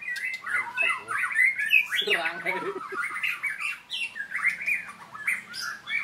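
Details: White-rumped shama in training, singing vigorously: a rapid varied run of whistled and harsh squawky phrases, mostly rising and falling notes at mid to high pitch, with short chattering bursts and a lower buzzy passage near the middle.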